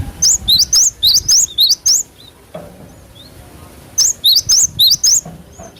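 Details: Natural cinereous tit song, used to train cage birds to respond quickly; two fast series of about seven loud, high, rising-falling whistled notes separated by a quiet pause.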